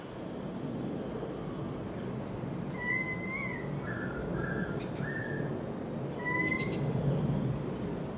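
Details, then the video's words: Garden song of currawongs in Enmore, NSW: loud rising whistles with a lower harmonic, a run of three short level whistled notes, then another rising whistle, over constant low-pitched background rumble. "Sydney Currawongs"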